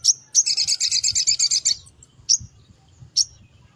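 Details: Morning song of a spiderhunter, used as a lure for small birds: a sharp chirp, then a rapid rattling series of buzzy high notes, followed by two isolated chirps.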